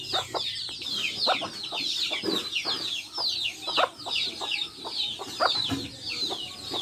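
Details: Hens with their chicks in a backyard, the chicks cheeping constantly in high downward-sliding peeps while the hens give frequent short, clipped clucks throughout.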